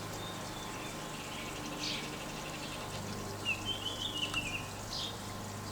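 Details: Baltimore Oriole singing high up in a tree in a Kansas City backyard with bird feeders, May 15, 2016, in spring: one brief, slightly warbled whistled phrase, heard at a distance with a couple of fainter notes around it, over a steady low hum.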